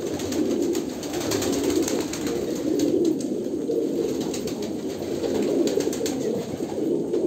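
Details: Low, crooning coos from a crowd of Kolkata pigeons merge into a ceaseless rumble, with light scattered clicks and knocks over the top.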